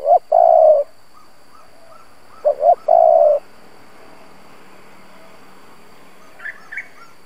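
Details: Spotted dove kept as a lure to attract wild doves, giving two cooing phrases. Each is a pair of short notes then a sustained low coo. Quiet follows, then a couple of faint high chirps.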